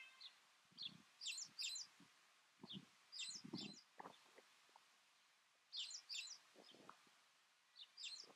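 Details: Trumpeter finch (Bucanetes githagineus amantum) calling on Fuerteventura, Canary Islands, Spain, in February 2007: short, high, thin chirps in loose clusters every second or two, over low muffled thumps and rustling.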